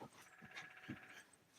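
A Downy Woodpecker gives a quick, even run of high, squeaky notes lasting about a second, with a woman's voice low in the background.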